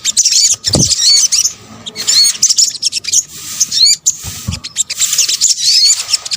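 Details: Sogok ontong, the Indonesian name for a sunbird, in a mixed call recording meant to attract birds: bursts of high chirps and curling whistles separated by short gaps, with a few dull knocks.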